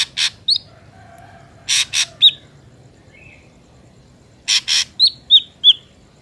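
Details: Ashy drongo in a wild recording used to lure drongos: scattered harsh rasps and crisp, high, downward-curving whistled notes, ending with three whistles in quick succession after a pair of rasps.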